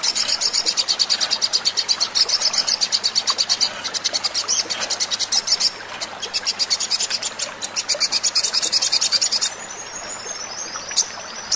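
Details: Crested jay recording used as a lure to make birds call: long, fast, dry rattling trains, high-pitched and mechanical, with brief breaks between bursts; a thin whistle-like note near the end.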